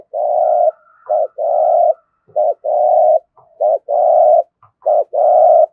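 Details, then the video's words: Captive spotted dove used as a decoy for wild doves, cooing thúc gù: a fast run of long, flat low coos alternating with brief clipped notes, about five long coos in under six seconds, with faint higher overtones. "cu gáy thúc gù giọng hay, chim cu mồi thục giọng hay hạp bổi"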